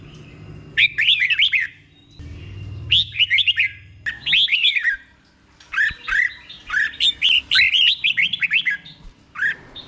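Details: Red-whiskered bulbul singing repeated phrases in a slow, clear doubled style meant for caged birds to copy: about five bursts of rapid looping whistles, each near a second long, with short pauses.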